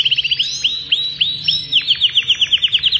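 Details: Agatha Belgian canary, a yellow adult male, sings to stimulate a breeding female and train youngsters: a string of bright, evenly repeated rising whistled notes, about six per second, with a few longer arched sweeps between.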